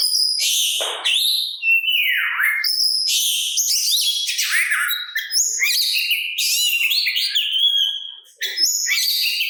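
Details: Song of an Oriental magpie-robin, used to stir other magpie-robins to reply: nearly ten seconds of loud, varied whistling mixed with scratchy trills and down-slurred notes, delivered almost without a break.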